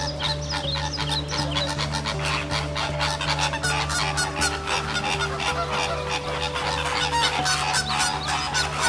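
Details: A flock of Lesser Flamingos (Phoeniconaias minor) at the bird lake in Kowloon Park, Hong Kong, gives a dense, continuous babble of nasal, goose-like honks and murmurs over a steady low hum.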